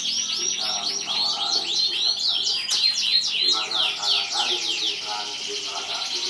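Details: Prize-winning canary from 2014 in full song: dense, rapid tours of high slurred whistles falling in pitch, broken by quick rhythmic trills, with mid-pitched warbling running alongside.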